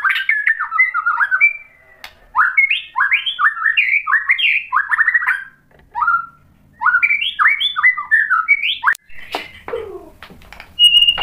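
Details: White-rumped shama song meant to get another bird singing: long, fast sequences of varied whistled and slurred notes, loud and rich, broken by short gaps and a few sharp harsh sounds near the end.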